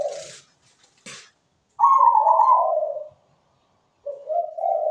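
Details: Zebra dove singing a melodious phrase. Opens with short bursts of noise and a brief coo, then a loud higher trill falling into a rolling lower coo, and later a rising series of bubbling coos.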